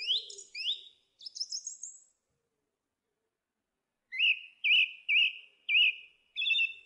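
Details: Song thrush in song: two scratchy twittering phrases, a pause, then a bright upslurred whistle repeated five times in quick succession.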